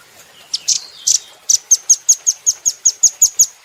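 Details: Velvet-fronted nuthatch, a caged bird in a training recording, uttering a few scratchy opening chips followed by a brisk, even series of about ten sharp, very high notes.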